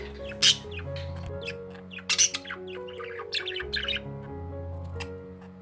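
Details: Budgerigar chirps and short scratchy squawks, which budgies make when happy or to keep up with music and room noise, come in bright, irregular bursts about every two seconds over steady background music.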